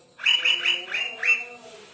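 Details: Asian fairy-bluebird in lively song that reportedly stirs up green leafbirds, giving five bright, slightly slurred whistled notes in rapid succession, the last one louder and sweeping.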